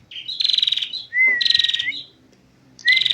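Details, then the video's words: Female prinia in ngentir song, with harsh buzzy trills broken by a smooth drawn-out whistle that rises at the close. A short pause comes before the next burst. "perjak betina full ngentir"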